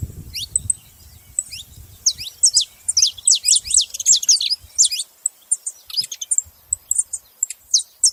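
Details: Saffron finch (canário da terra) starting quietly, then breaking into a loud fast run of sharp, descending high chirps, followed by scattered single notes; brief low rumble at the start.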